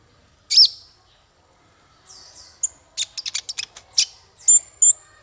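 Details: Male konin singing to train songbirds: one loud, high squeaky note, then faint thin whistles, then a quick stutter of sharp ticking chirps ending with two clear high whistled notes.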